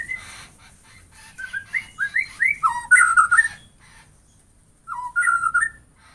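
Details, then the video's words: White-rumped shama whistling melodious phrases of clear, slurred notes climbing and dipping, with a long quiet gap before a final short rich phrase. "Semua jenis murai batu bakal gacor dengan suara ini"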